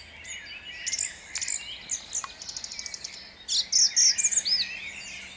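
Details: Song thrush at dawn, Jabłonna, 29 April 2021: fast, thin chattering notes, then a rapid trill and a loud closing run of sharp, high whistled notes.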